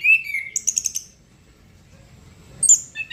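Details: Short gacor phrase from a chestnut-capped thrush: a slurred whistle and a quick trill of high pulsed notes, a near-silent gap, then two sharp high chirps.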